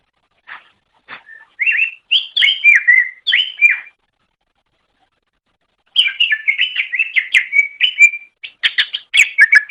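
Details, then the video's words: A greater green leafbird sings on a recording made to train pet songbirds: a few scattered notes building into warbled phrases, a two-second silence, then a fast, jumbled chattering run. "Suara Burung Cucak Ijo"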